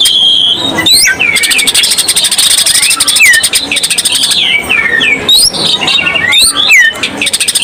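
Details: Vigorous full 'isenan' song of a Greater green leafbird, a lure for other birds: rich run of varied whistled slurs, falling and rising notes mixed with fast chattering rattles.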